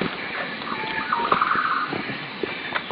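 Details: Green broadbill: a single accelerating trill of short notes, preceded by a thin introductory note, with scattered clicks and knocks in the background.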